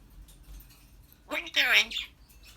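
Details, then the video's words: Pet African grey parrot talking: a short, speech-like phrase of two harmonic syllables in a quiet room, otherwise near silence. "African grey talking, laughing and burping"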